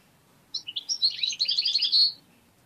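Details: A tame caged European goldfinch that bites fingers gives one quick, tinkling twitter of tightly packed high chirps, about one and a half seconds long, in a quiet room.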